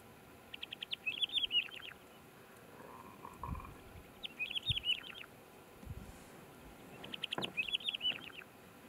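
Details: Red Lark in South Africa gives three bright, high phrases a few seconds apart, each a quick run of sharp notes ending in a twittering flourish, with low wind rumbling underneath.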